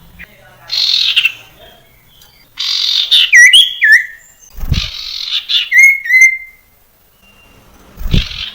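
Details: Common iora song used as a training lure for young birds: harsh buzzy bursts alternate with clear slurred whistles that dip and level off, in phrases separated by short pauses, with a few low thumps.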